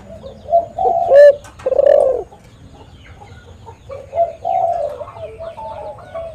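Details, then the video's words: A spotted dove, recorded as a lure call, gives soft, low hooting coos in short rolling phrases, the notes pulsing and slightly rising, with a faint background hiss. "TEKUKUR GACOR suara merdu - SUARA BURUNG TEKUKUR ini JAGO MEMANGGIL"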